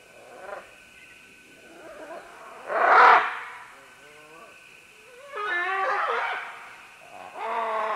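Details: Green-winged macaws call while descending along vines: a soft squawk, then one very loud rasping screech. Longer wavering, nasal calls follow, some drawn out for about a second.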